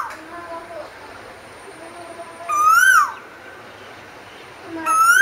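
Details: Asian koel singing: two loud, clear whistled notes about two and a half seconds apart, each rising and then dipping at the end. Fainter, lower whistles sound in the background between them.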